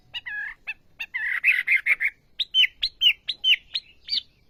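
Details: Olive-backed sunbird in energetic song: a burst of fast buzzy twittering, then a run of loud, clipped, high whistled notes repeated about three times per second.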